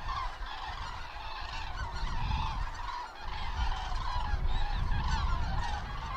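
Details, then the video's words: Common cranes on autumn migration over Mittelhessen, Germany, 31 October 2022, in poor weather: a continuous murmur of overlapping trumpeting calls from a flock, partly masked by strong low rumbling noise. "Herbstzug der Kraniche Grus grus"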